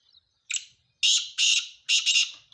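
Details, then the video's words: Male black francolin calling: a short harsh note, then a loud rasping series of grating, buzzy bursts about half a second each, the last one doubled, with quiet gaps between. "کالا تیتر کی اواز"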